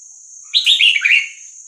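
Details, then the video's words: Red-whiskered bulbul, Vietnamese type, delivering its 3-4-5-6-7 song meant for tutoring young birds and stirring them up: a single fluid phrase of cascading warbled notes, loud and clear above a continuous faint electronic whine. "นกกรงหัวจุกเวียดนาม 3-4-5-6-7 เปิดสอนลูกนก เปิดยั้วนกฟังนกคึก"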